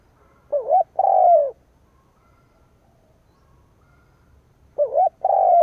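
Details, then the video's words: Spotted dove kept as a decoy, cooing to provoke wild rivals; a quavering short coo and long descending coo, then after about four quiet seconds the phrase begins again. "Cu mồi gáy gù / Tiếng chim cu mồi kích bổi / Cu mồi gáy bổi nghe hăng máu"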